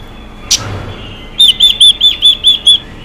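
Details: After a sharp click, a female Chinese hwamei sounds its xùy call, meant to excite males to sing, as seven clear, slightly arched whistles in a fast, regular row.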